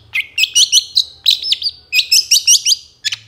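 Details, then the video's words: Energetic song of a moulting long-tailed shrike, known as cendet, played to provoke caged birds: a continuous stream of high warbled, looping notes and squeaky twitters in rapid succession, pausing briefly near the end. "PANCINGAN SUARA CENDET MABUNG GACOR"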